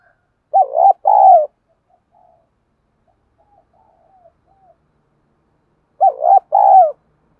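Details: Decoy spotted dove calling to provoke rival doves. Two soft hooting coo phrases about five seconds apart, each a brief double note followed by a longer descending croon, with near silence between them.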